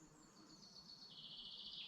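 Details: Birdsong from a Dublin mountains forest in Ireland during the morning: a thin, high whistle slides gradually downward, then breaks into a fast, shimmering trill that grows louder toward the end.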